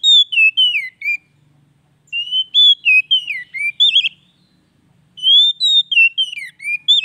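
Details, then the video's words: Oriental magpie-robin song to stimulate a quiet bird: three rapid whistled phrases, each of many rising and falling notes with quick warbled flourishes, barely pausing between them. "TERAPI HARIAN BURUNG KACER MACET"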